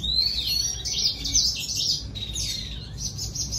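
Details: Red siskin or gray singer finch singing to attract a female, delivering bright, high, warbling twitters in quick bursts, with a short descending slur midway and a faint low hum underneath.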